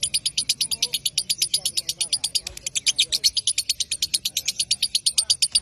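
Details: Long ngekek trill by a lovebird, used to goad rivals into singing: quick high chattering pulses repeated about three per second, over faint lower twittering.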